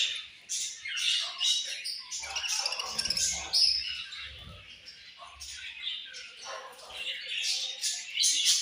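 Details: Australian budgie parrots, several birds together, chirping in a constant overlapping chatter of high scratchy tweets and warbles, with low thumps in the background.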